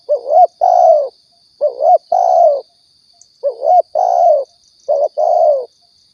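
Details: Spotted dove from Riau, played as a hunting lure: four mellow coo phrases, each a quick rising two-part note then a drawn-out falling coo, repeated roughly every one and a half seconds over a constant thin high tone.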